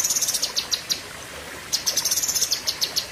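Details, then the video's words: Cucak kinoi leafbird singing in 'pedes panjang' style: quick runs of sharp, high notes at roughly three per second, pausing briefly midway before resuming. "Tembakan Ngeri Cucak Kinoi (Pedes Panjang)"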